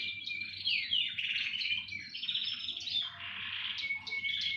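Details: Several canaries sing as a chorus, layering fast trills, chattering notes and clear whistles; a steady thin whistled tone rings out near the end over a faint low background hum.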